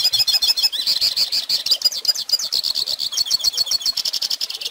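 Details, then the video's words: Lively goldfinch song used as a teaching recording for young birds, a dense, high stream of quick chirps and warbled trills with no breaks. "Pintassilgo Cantando Ensine Filhotes!!!"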